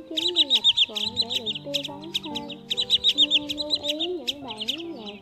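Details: Sandpiper calls, whitebellied and black-spotted types, used as a hunting lure: bright, high, rapid chirps in bursts of several notes, repeated roughly every second, over continuous tonal background music.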